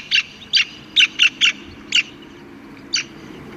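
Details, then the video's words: Black-capped kingfisher calling in wetlands at Mai Po Inner Deep Bay Ramsar Site, Hong Kong: loud, harsh, high-pitched notes given singly and in quick bursts, irregularly spaced, the last after a pause of about a second. "藍翡翠 Black-capped Kingfisher Halcyon pileata"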